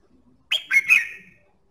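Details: Red-whiskered bulbul song for stimulating singing: one short phrase of three sweet, slurred whistled notes, fading gently at the end, with no other sounds.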